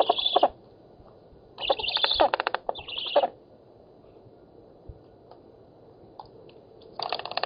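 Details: Black storks at an oak nest in Poland, 7 August 2018, contesting fish. Short bursts of shrill, rasping squeals with rapid clicking pulses break out at the start, around two to three seconds, and at the end, separated by quiet.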